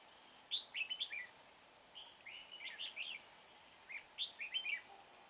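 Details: Red-whiskered bulbul used as a decoy bird for trapping, at Hương pagoda: short bursts of bright warbled, slurred whistled notes in three phrases about every two seconds, over a faint background hiss.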